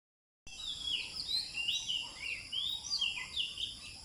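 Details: Birds singing at sunrise in a park at Bandar Seri Botani, Ipoh, Malaysia: high, quick whistled notes and short slurred phrases, several voices overlapping, over a steady high insect drone.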